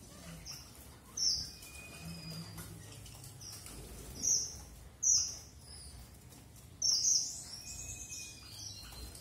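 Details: Red avadavat uttering separate piercing high whistles at irregular gaps across several seconds, each brief and bright, with faint softer twitters between and little other noise.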